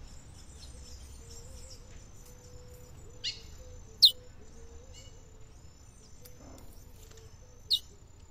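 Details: A female chestnut-bellied seed finch (curió) near a river in the caatinga sertão calls to excite the male: a few short, sharp high chirps seconds apart over a steady high insect-like hiss and a faint low wavering tone.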